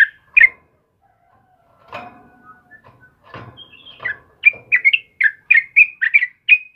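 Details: Vigorous morning singing by a sooty-headed bulbul, kebo type: a couple of whistled notes, a stretch of rustling and scraping noise, then a quick run of bright, bouncing phrases.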